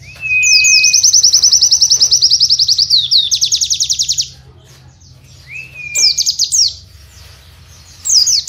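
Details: Caged white-eye giving tutor song for training other white-eyes: a thin whistled rising note, then a long fast trill of high repeated notes for about three seconds, followed by scattered high chirps and another whistle.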